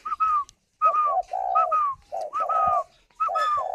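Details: Spotted dove sitting on eggs in captivity near Hanoi, cooing steadily: low drawn-out coos alternating with higher whistled, slightly falling notes in quick succession, with no other clear sounds.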